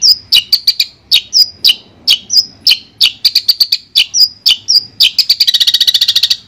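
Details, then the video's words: Long-tailed shrike singing, meant to coax a shrike that has gone quiet back into song; bright whistles and crisp chips in rapid runs, closing with a buzzy rattling trill. "Terapi Suara Untuk Cendet Macet"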